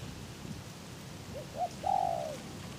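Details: Decoy spotted dove cooing to lure wild doves toward a trap, with its cage top open in strong wind: a few short soft coos followed by one longer drawn-out coo, over steady wind rumble.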